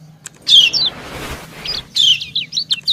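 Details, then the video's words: White-eye female and male calling back and forth: a pair of high slurred chirps, a rushing hiss, then a rapid cluster of thin twittering notes; faint low hum in the background. "Suara ciak kecial betina mendayu merayu jantan"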